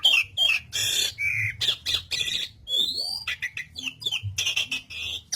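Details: Asian pied starling (jalak suren) singing gacor-style for pet-bird training: harsh raspy squawks alternate with clear upslurred whistles and chattering notes, with a low hum in the background.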